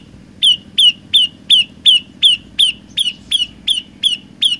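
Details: Energetic song of an olive-backed tailorbird, one of three variations: about twelve clear, high, downward-sliding notes delivered at a fast, even pace, the later ones slightly softer, with a low background murmur.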